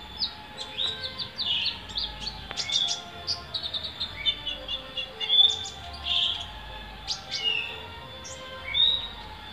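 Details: A sunbird in Pemalang, Central Java, Indonesia gives quick, high, thin chirps and sharp tinkling twitters in irregular bursts over a faint low hum. It was calling after one day of training.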